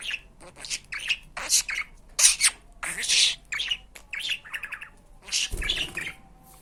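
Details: Pet budgerigar talking indoors, a recording meant to teach words such as "Hani Benim Fıstığım, Benim Aşkım, İyi Günler". Rapid high, scratchy speech-like bursts and chirps run almost continuously, with short pauses between phrases.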